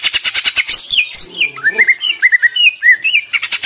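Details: Greater green leafbird song, used to stimulate other leafbirds to sing: quick repeated chip notes, then a run of slurred whistled phrases wavering and rising, ending in more rapid chips.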